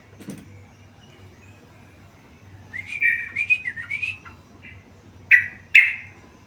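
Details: Tame yellow-vented bulbul singing vigorously: a short run of warbled notes, then two loud, sharp notes near the end after quiet stretches. Soft low hum in the background.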